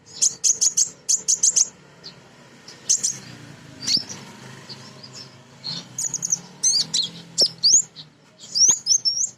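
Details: Calling female Crimson sunbird, used to prompt other birds to sing: crisp very high chirps in quick triplets and pairs, then upward-flicking squeaky notes, evenly spaced bursts over faint background hiss.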